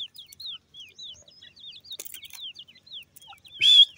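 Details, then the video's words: High, thin, down-slurred peeps from francolin chicks, repeated steadily every fraction of a second, ending in a sudden louder rasping burst. "teetar bird chicks,titer ki awaaz"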